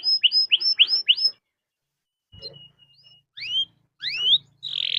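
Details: Canary singing a long song meant to prompt other canaries to sing: a quick series of five bright rising-falling whistled notes, a pause, then a thin steady tone and sweeping upward whistles ending in a buzzy trill.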